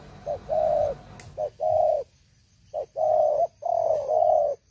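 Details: Spotted dove used as a decoy bird, noted for a big voice, giving two cooing phrases. Each phrase has a short pickup note, then drawn-out mellow coos, the second phrase ending in a doubled longer coo. Faint background hum.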